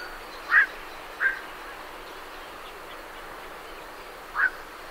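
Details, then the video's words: Three loud, abrupt croaks from night herons departing their roost, the first two a second apart and the last after a long pause, over a soft background of great reed warblers. "Night Heron Calls"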